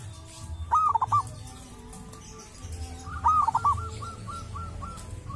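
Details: A local wild zebra dove from a sacred tomb, said to sound distinctive, sings a loud phrase of short stuttering coos, pauses, repeats it, then continues with soft evenly spaced coos about every quarter second.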